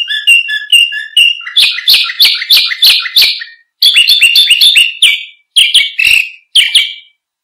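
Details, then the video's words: Canary singing to prompt and teach other birds: soft paired chirps, then a loud buzzy roll, a brief pause, a faster rattling roll and several bright scooping notes. "Suara Kicau Burung KENARI Untuk Pancingan Dan Masteran"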